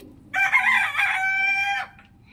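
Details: In the morning a rooster lets out one long crow, about one and a half seconds, starting ragged and harsh and then settling into a clear, sustained, harmonic tone before stopping abruptly.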